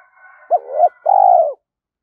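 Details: Spotted dove cooing meant to prompt young captive doves to coo back: two quick arched notes followed by one sustained low coo, with a faint steady hum behind.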